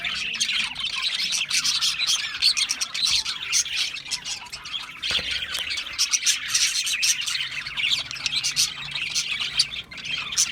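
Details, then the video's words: A constant budgerigar chorus of thin, buzzy warbles and quick tweets, punctuated by loud clicky squawks, with the chatter swelling and easing slightly across the stretch. "Natural Parakeet Singing Birds | Parrots Chirping sounds"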